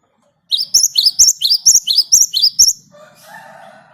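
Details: Rolling 'ngerol' song of a Great tit, meant as a lure: about ten quick, ringing two-part high notes in a steady series, then a softer, lower buzzy tone trailing off with faint background hum.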